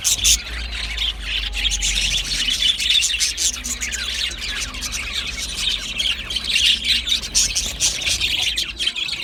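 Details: Australian budgies, or budgerigars, chirping when content, in a continuous busy chorus of high twittering, squeaky notes and rasping warbles running unbroken for the whole stretch, over a faint low hum.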